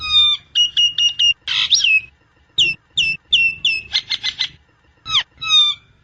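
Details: A Nias hill myna sings for master recording or luring use: ringing tonal notes, a stuttered whistle run, harsh rasps, a rapid burst of broadband notes and swooping whistles separated by short gaps.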